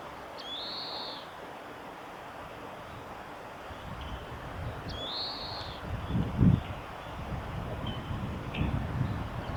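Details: Spring song of an Oriental greenfinch at a nature conservation centre's observation garden, 9 April 2022: two wheezy buzzing drawn-out notes early, later brief thin twitters, with low rumble and a loud thump near the middle.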